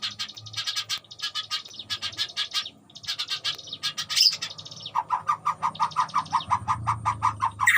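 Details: Captive white-rumped shama in a colony breeding cage, wild animals living nearby: dense burst of buzzy, chattering notes, then a fast series of short clipped whistles about every third of a second, over a low background hum.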